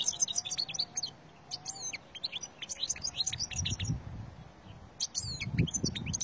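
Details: Wild Algerian European goldfinch song from 2020: rapid runs of sharp, high, tinkling twitters and liquid slurred notes in bursts, over low rumbling noise and a faint steady hum.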